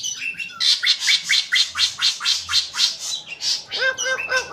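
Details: White-rumped shama singing a rhythmic series of loud, harsh, high chirps repeated roughly twice a second, ending with several short downslurred whistles in quick succession.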